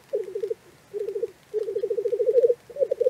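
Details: Black grouse lekking in the morning in Cairngorm National Park: rapid, rolling bubbling phrases in four bursts separated by short gaps, the longest lasting about a second, against a quiet background.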